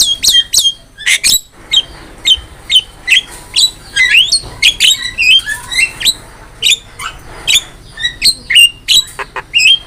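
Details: Master recording of a singing Javan myna for training birds. Sharp clicking chips and rising whistled notes repeat about twice a second, with occasional harsh rasps in between.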